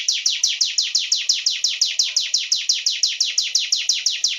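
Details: Sunda warbler in full song, giving rapid high chirps that slide downward, evenly spaced at roughly four to five notes a second throughout.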